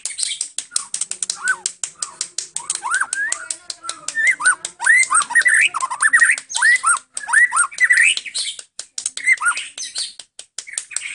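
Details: White-rumped shama of the Medan type in continuous song filled with imitated calls of cililin, cucak jenggot, kenari and prenjak: rapid ticking clicks under a stream of upslurred whistles and varied chattering phrases.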